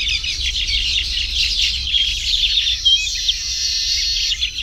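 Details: High, wheezy chattering and twittering from Baya weavers building nests in tropical surroundings. Many notes blend into a continuous buzzing wash, with a brief louder chirp near the end and low rumble beneath.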